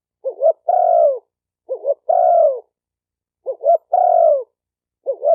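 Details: Spotted dove cooing: each phrase a short double note followed by a longer, slightly falling coo, repeated about every two seconds in a clean, quiet setting.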